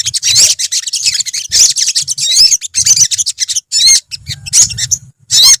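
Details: A colony of olive-backed sunbirds in full, lively song, a chorus of sharp, high twitters and quick upward-sweeping whistles in clustered bursts about half a second apart, over a soft low hum.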